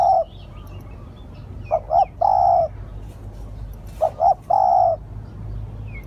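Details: Decoy spotted dove cooing to lure others. Mellow low phrases, a pair of quick notes then a drawn-out coo, come about every two seconds over a steady low hum. Faint high twittering from other birds is also heard.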